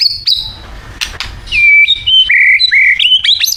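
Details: Thai white-rumped shama song: a high whistled note, clicks, then loud, clear stepped whistles and rising sweeps delivered in quick succession.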